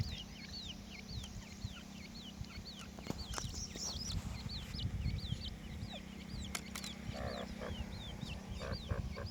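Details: Francolin chicks (teetar): many thin, high peeping notes, each a quick down-up slur, repeated rapidly and overlapping throughout, fairly faint over a low steady hum and scattered clicks.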